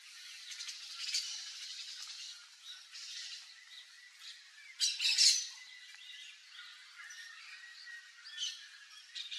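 Crested caracara giving harsh, grating, rasping bursts, the loudest a scratchy squawk about halfway through, with faint chirping from other birds behind.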